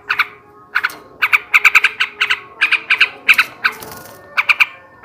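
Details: Male sooty-headed bulbul chattering in the ngebrem ngekek garuda manner, used as a lure and breeding stimulus. Brisk clusters of two to four bright, clipped notes separated by short pauses.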